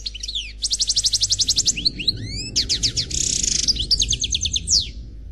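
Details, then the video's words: Unpaired European goldfinch (célibataire) from a CD, singing Khalwi style: a long fast trill of repeated notes, rising whistled slurs, a buzzy rasp, then more trilling and a falling whistle, over some low rumbling noise. "Chant Chardonneret Khalwi Célebataire"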